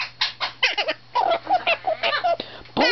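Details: Pet parrot, described as laughing, kissing and talking, making a string of short squawky, warbling syllables with wavering rising and falling tones, like mumbled chatter, ending in a louder harsh note, amid an owner's affectionate talk.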